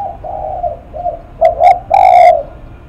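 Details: Spotted dove, named as 'lắc mặt', opening with soft sustained cooing hums, then two quick loud coos and a long, rich drawn-out final coo, very close.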